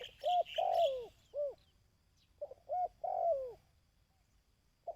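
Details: ['Dove coos meant for stimulating decoy birds. A clipped note is followed by a long, smooth falling coo, repeated twice. Faint higher chirps of other birds can be heard in the first second.']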